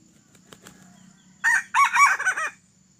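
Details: Red junglefowl, tadung plumage, not an original wild bird but one that escaped after purchase, crowing at a decoy trapping site; faint clicks lead into a loud, ragged multi-syllable crow fading on a descending tail.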